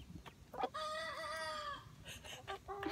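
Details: A young Polish rooster on a homestead, crowing for the first time, gives a single drawn-out crow about a second long, harmonic and slightly wavering, framed by a few short clucks and faint background noise.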